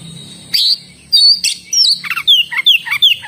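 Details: Oriental magpie-robin in full, lively song: a few loud, sharp whistled notes spaced about half a second apart, then a quick run of high, clear, downward-slurred whistles and chirps, over a faint low background hum.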